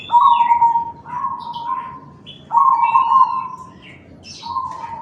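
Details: Black cemani zebra dove with a big voice, calling to lure Bangkok and local zebra doves into answering: steady mid-pitched, drawn-out cooing notes, each about a second long, with brief higher chirps between them.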